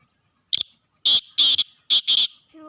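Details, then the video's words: Black francolin calling in Sindh, Pakistan: a short harsh note, then two longer grating, buzzy notes and a quick rasping pair, all loud and close, with quiet surroundings. "Kala Teeter"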